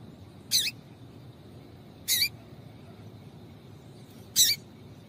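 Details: A female Double-collared seedeater gives three short, high, squeaky chips spaced about two seconds apart, over a faint low hum; the female call is used to stimulate males to sing.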